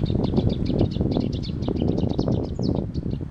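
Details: Marsh grassbird in Chiba, Japan, 29 March 2021, giving a fast, steady series of short, dry chattering notes, several per second, over a strong low rumble of wind or distant traffic.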